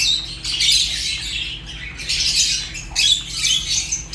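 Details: Fischer's and other African lovebirds call in harsh, high chirps, grouped into clusters about every second, some pulses short and sharp, over a soft low hum.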